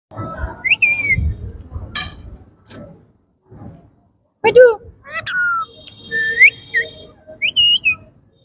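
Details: Pet Indian ringneck parakeets, kept indoors in yellow, blue and green colour forms, talking. Harmonic speech-like syllables are mixed with sharp rising whistles and a burst of clipped squawks. Low room noise and a few knocks sit underneath.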